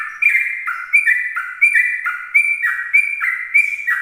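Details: Sooty-headed bulbul in morning song, its voice loud and close: rapid repeated whistled phrases, a sharp high note falling into a lower bubbling tone, about every third of a second.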